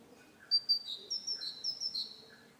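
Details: Great tit (Parus major) song with clear high two-note phrases, upper note then lower, delivered about four times in a quick seesawing series against quiet background.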